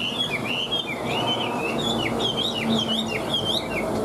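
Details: Large caged Chinese hwamei singing high, with fluent whistled warbles rising and dipping in wavy phrases, continuous for several seconds over background hum.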